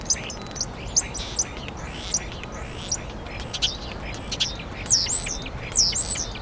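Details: Common starling singing in Hyde Park, London, UK, in April 2016, a complex vocal performance: high whistled slurs, clicks and buzzy notes in short phrases about every second, with a faint low rumble beneath.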